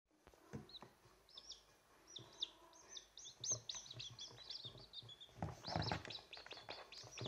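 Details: Young chicks of a backyard flock peeping: many thin, high cheeping notes, short and repeated in quick bursts, with some rustling and low background noise.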